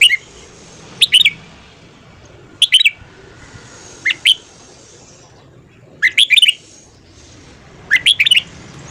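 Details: Red-whiskered bulbul singing in the morning, a fired-up 'hót căng' song in the 'ché' style. Six bright, quick bursts of high whistled notes come about every one to two seconds, with a faint low hum beneath.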